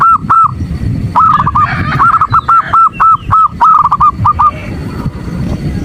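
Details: Female zebra dove calling the male, played in the morning to stir males into calling: rapid series of short, clear, arched notes on one pitch, about three per second, broken by a brief pause, over a low rumbling background.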